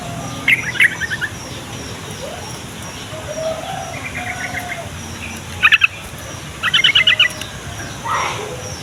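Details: Singing yellow-vented bulbul, used to make other bulbuls answer and to attract wild birds: a few quick chattering bursts, one sharp isolated note cluster, then a longer run of about six rapid notes, over low background hiss.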